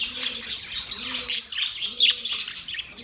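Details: Budgerigars, including black-faced budgies, chattering in a steady stream of short, high chirps and scratchy warbles, several birds overlapping, with a faint low hum underneath.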